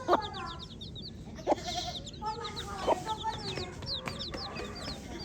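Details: Many baby chicks chirping together, bright high peeps tumbling over one another, with a handful of sharp thuds and soft background hiss.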